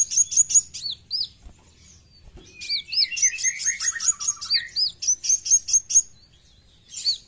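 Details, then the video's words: Kowul (brown-throated sunbird) in energetic gacor song: runs of high whipped notes alternate with a buzzy descending trill. A soft low knock falls in the quieter middle. "KOWUL GACOR FULL BESETAN"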